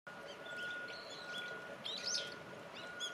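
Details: Brown-eared bulbuls, a flock gathering on snow-capped riverside shrubs and bathing in a frigid river in midwinter: scattered thin chirps and a louder squeaky rising-falling note near the end, over a steady rush of flowing water and a faint constant tone.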